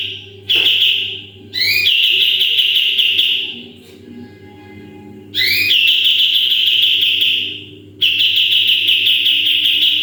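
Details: Full 'tembakan' song of a sooty-headed bulbul kept as a model for training other birds: four bursts, each a quick upswept note followed by a fast buzzy trill, with quiet gaps between.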